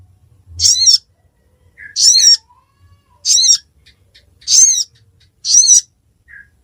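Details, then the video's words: Ruby-cheeked sunbird in Pidie, Aceh, giving sharp, high, buzzy notes about once every second, each with a lower faint tail. The background is otherwise quiet. "Burung Sogon Suara Durasi Panjang"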